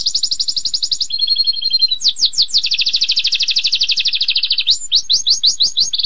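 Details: Canary singing a long-duration song used for mastering: a rapid high trill, then a lower double-toned roll, then sweeping downward slurs and fast rolling tours, ending in a string of separate slurred notes.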